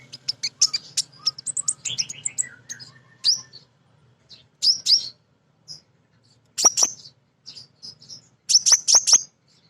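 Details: Female sunbird, known locally as kolibri ninja, giving a lively lure song of ngriwik, nyrecet and nembak phrases. A rapid run of sharp high chirps with a descending trill opens, followed by spaced clusters of piercing ticks and twitters.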